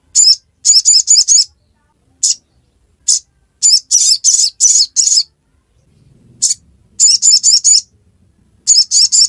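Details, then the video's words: Bursts of bright, high twittering chirps from a sogok ontong in ngiriwek style, grouped in fours and fives, with single notes between them and a faint low rumble in one gap. "Sogon | Kicauan ngiriwek pastikan sogok ontong bahanmu ikut bunyi"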